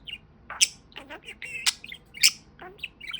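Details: Pet budgerigar, a talking parakeet, chattering in mimicked-speech style: bright, high chirps and buzzy, warbling syllables in irregular bursts, several sharp clicks and squeaky notes, with quiet room background.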